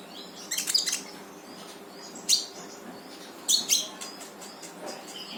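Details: Brown-throated sunbird song for coaxing a silent bird to sing: sharp high chirps in small clusters spaced over a second apart, trailing off into faint notes.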